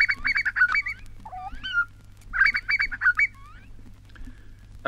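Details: Grey butcherbird from a 1960s recording made in Australia, singing rich, fluty phrases of slurred notes, rising and falling, in two bursts a second apart; a low steady hum runs underneath.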